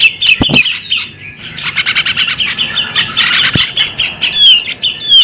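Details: Female bearded magpie robin: scratchy chatter and a rapid buzzy rattle of notes, finishing with clear whistled downslurs, over a continuous high ringing tone.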